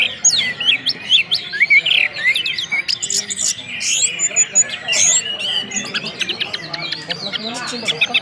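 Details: Orange-headed thrush singing in the whistled, full-voiced style known locally as ngeplong: a dense, fast run of high whistles, sharp chirps and rising and falling slurred notes with almost no pauses across eight seconds.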